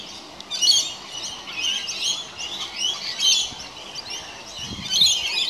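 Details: Several rainbow lorikeets bathing in water in a house gutter at the end of a hot summer's day, giving shrill, screechy chirps and squawks in overlapping bursts throughout.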